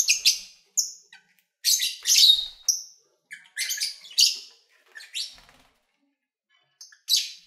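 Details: Caged lovebirds recorded February 2019 while feeding and playing; sharp, high squeaky chirps and clipped whistled notes tumble out irregularly, some in quick doubled bursts, then fall quiet near the end.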